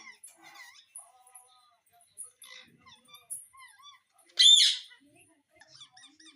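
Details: Pet parrot kept indoors chattering softly in short speech-like syllables, broken by one loud, harsh squawk partway through.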